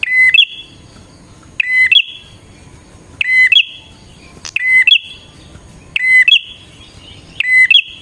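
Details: Bar-winged prinia song for drawing in wild birds: six crisp, ringing phrases, each a level whistle followed by a sharp rising twist, repeated at a brisk, fairly regular pace on a quiet background.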